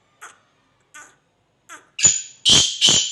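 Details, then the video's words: Sindhi francolin (teetar) calling, kept in captivity and said to call all day: three soft, short notes spaced under a second apart, then two or three loud, harsh, rasping bursts close together, recorded close up in a quiet setting. "sindhi teetar Sara din.ka bular"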